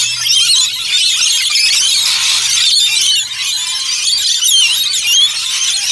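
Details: A flock of rainbow lorikeets (Trichoglossus moluccanus) at Lone Pine Koala Sanctuary in Brisbane: a dense, unbroken chorus of shrill, grating screeches from many birds at once, with a faint low hum beneath.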